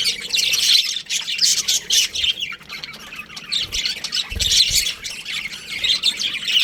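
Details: Busy chatter of baby budgerigars kept in an aviary: rasping chirps and squeaky notes crowd together in rising and falling bursts, with a few low knocks.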